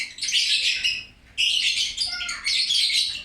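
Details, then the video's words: Loud lovebird chatter in three dense bursts of scratchy, high twittering notes, each about a second long, separated by brief gaps. "LOVE BIRD..GACOR RAME2"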